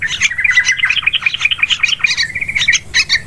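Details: Lure recording of sooty-headed bulbul for bird hunting in woods, paddies and plantations: continuous lively chatter of clear, liquid notes interlaced with short buzzy chirps, steady and busy throughout.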